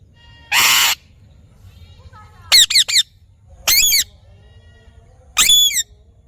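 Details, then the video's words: Parrot calling with a rough squawk followed by clusters of clipped, harmonic-rich notes with rising and falling inflections, separated by short pauses. "Parrot Natural Sounds / Voices"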